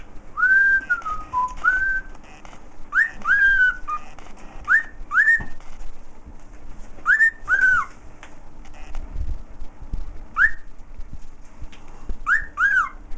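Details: Pet bird whistling the Andy Griffith theme: a steady run of clear, slurred whistled notes, some rising and some falling, grouped in pairs and short phrases, with soft clicks between notes and a low background hum.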